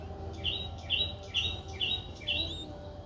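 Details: A Streak-eared Bulbul chick four days old, recorded in Ubon Ratchathani, Thailand, on 6 April 2023, gives five high, slightly upslurred notes at half-second intervals.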